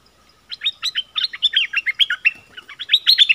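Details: Decoy bulbul calling to lure wild birds down, recorded 16 March 2021: a rapid, chattering run of bright, sharp, slurred notes, rising and falling, strung closely together and briefly broken midway, with a faint steady hum underneath.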